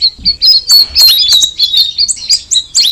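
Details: Straw-headed bulbul, called cucak rawis, giving quick high whistles and chirps at about four notes per second, some notes sliding downward, irregularly spaced, over a quiet background.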